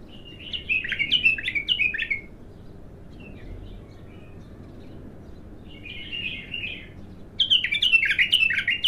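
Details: Raw bulbul opening its song for the first time, with a fast burst of liquid warbling notes, a quieter gap, then softer twitters and a loud closing flurry of whistles over low constant hum.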